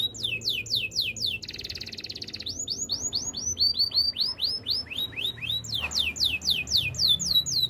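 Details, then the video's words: Canary in active song, used for training: rapid series of high, downward-sweeping whistled notes, broken by a steady buzzy trill, then more quick descending slurs repeated several times a second. "Active canary singing makes your canary sound"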